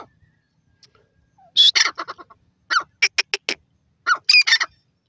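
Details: Dakhni teetar call of the grey francolin (teetar): a few short bursts of harsh, grating notes separated by silence, each burst a quick run of four to six clipped squawks.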